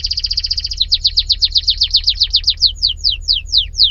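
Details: Canary song opening with a fast high trill, then a run of sharply descending sweeping notes that slow down steadily toward the end.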